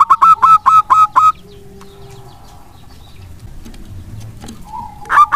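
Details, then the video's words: Local wild-type zebra dove lure song for lazy doves: about six quick ringing coos open the clip, then near silence with faint tones, before another note starts at the very end. "perkutut lokal alam GACOR pancingan kutut malas pun langsung nyaut dan rajin bunyi."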